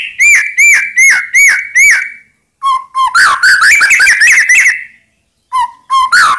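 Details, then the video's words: White-rumped shama singing to make rival birds respond: five evenly spaced whistled notes, then a tumbling mix of whistles and chirps, then low piping notes. "Ampuh Buat Murai Lain Terpancing Emosi Seketika Insyallah Langsung Nyaut"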